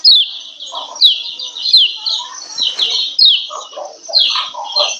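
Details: Female lemon-bellied white-eye giving its 'ciak ciak' call, used to raise breeding condition in males and make them sing. Rapid run of high, thin, downward-slurred chirps, nearly unbroken, over softer, lower burbling notes in bursts.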